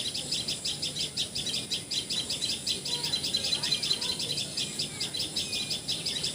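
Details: Assam, India: a common tailorbird (Assamese patxhia sorai, tiposi sorai) keeps up a long run of high, sharp chip notes, nearly five a second without pause, with quiet environmental noise behind.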